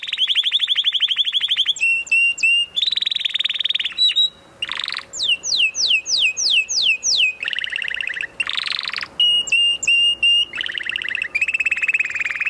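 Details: Canary delivering a long varied song: rapid rattling trills, bursts of three whistled notes, a rising sweep and a run of quick downslurred whistles, phrases changing every second or two over a faint hum.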